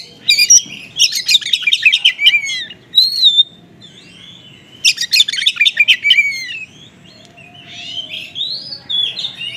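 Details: Oriental magpie-robin singing konslet-style material of small-bird phrases, used to stimulate unresponsive magpie-robins: two loud bursts of rapid scratchy, clicking notes with sweeping whistles, separated by quieter warbling passages.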